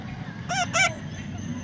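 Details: A young parrot being tamed lets out two short, raspy squawks close together over a low background hum, with a person's voice nearby.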